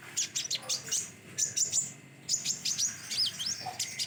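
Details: Common iora (locally konin) singing: bursts of sharp, high chirps and short slurred whistles in quick clusters, with brief pauses between phrases and a faint low whistle near the end.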